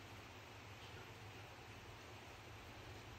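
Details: Quiet room tone with a low hum, ending in a sudden loud knock or click; no animal voice is heard.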